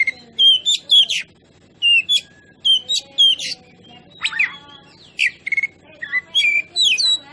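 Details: Oriental magpie-robin singing, a recording meant to provoke other birds: rapid varied whistles, trills and downslurred notes in dense bursts, some buzzy elements, continuing almost throughout with brief gaps; steady low background hum.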